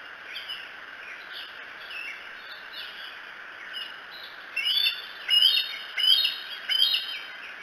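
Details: Bald eagle at Decorah, recorded by a nest camera on 2 July 2018 between about 3 and 4 in the morning: faint thin notes, then four loud, high, whistled piping calls about 0.7 seconds apart over a steady hum.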